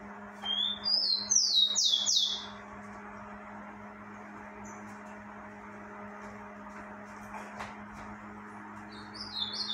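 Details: Rufous-collared sparrow in breeding season delivering a short burst of high, rapid, buzzy trilled notes near the start, then quiet with a constant low hum and a brief high phrase at the end.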